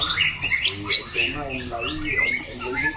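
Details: Caged competition White-rumped shama, a loud, harsh-voiced male that switches phrases. Short whistled notes and quick chattering phrases overlap in a busy burst, with lower warbling underneath.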